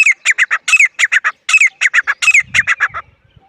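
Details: Powerful grey francolin calling: rhythmic clusters of three or four harsh, ringing squawks repeated without pause, with a faint low thud near the end.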